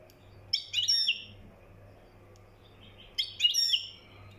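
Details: Moroccan European goldfinch in mkhanter song: two bright twittering phrases of quick, slurred high notes about two and a half seconds apart, a low hum in the background.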